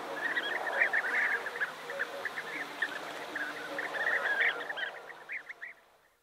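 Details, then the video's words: A large colony of European bee-eaters near Navalcán, New Castile, Spain, gives a continuous overlapping chorus of rolling, liquid 'prruip' calls; a guitar plays softly in the background. "European Bee Eater / Calls Of Large Colony"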